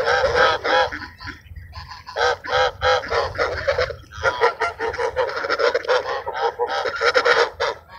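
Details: Several ducks being fed at Sunset Park utter loud, rasping, honking quacks in dense rhythmic runs, separated by a few short pauses.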